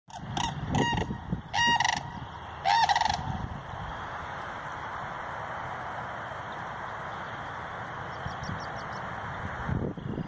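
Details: Sandhill cranes near Madison, Wisconsin give three loud, rolling, trumpeting calls in the first three seconds, then fall silent under a steady wind-like hiss.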